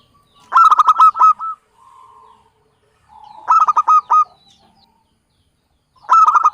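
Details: Local Javanese zebra dove used as a lure call for bird trapping. Three loud bursts of quick, stuttering cooing notes arrive about every three seconds, joined by softer, drawn-out murmuring coos.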